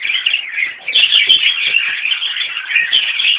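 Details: A mixed colony of Fischer's lovebirds (Agapornis fischeri) and rosy-faced lovebirds (Agapornis roseicollis) at fresh water gives a dense, unbroken chatter of shrill, high squeaks and chirps, with many birds calling over one another.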